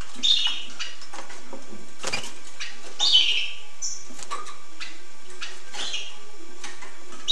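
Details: Hooded siskin song in irregular phrases of thin, buzzy twitters and short chirps, interrupted by a loud thump, with faint rustling and constant background hiss.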